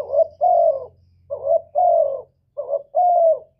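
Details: Cooing spotted dove, sound used for luring birds into traps and prompting captive doves: three phrases of a brief throaty double note followed by a longer, smooth, gently descending coo, steady and clear.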